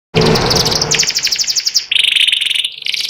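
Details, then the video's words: White panda-pattern canary, caged and ready for contest hanging, singing ngeriwik style: fast buzzy trills and rapid repeated notes, shifting between high rattling phrases and a lower steady trill. "burung kenari putih panda ngeriwik"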